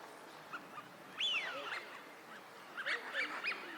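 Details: Eurasian wigeon wintering at a park pond in Chiba, Japan, March 2025: a clear, high whistled call that sweeps up and then falls away, followed by several shorter whistles from other birds nearby.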